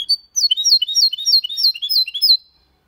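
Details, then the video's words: Goldfinch × canary hybrid singing cleanly in Málaga style, a continuous sequence of high, sweeping twittered notes delivered about four per second, bright and fluid, ending softly. "Mixto de Jilguero Cantando Limpio (Video HD)Mulet de Chardonneret X canari /hybrid goldfinch singing"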